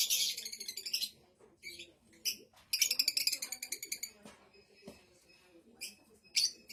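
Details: Fischer's lovebird of the blue colour form giving loud raspy chatter, then a run of rapid rhythmic clicking notes and later squeaky chirps, over a faint low background hum.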